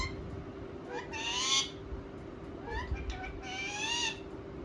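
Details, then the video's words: Pet ringneck parakeets talking and responding: two bursts of harsh, buzzy, speech-like syllables, the second longer and rising slightly, over a steady low hum. "Parrot Talking | Ringneck Talking Parrot | Funny Parrot Sound"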